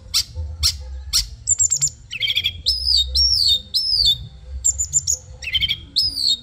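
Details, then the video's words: Caged long-tailed shrike from Madura singing a training song: sharp clicks, then repeated arched whistles swooping down, mixed with buzzy chatter over a faint low hum. "Masteran Cendet Bisu Langsung Ngacor Dor"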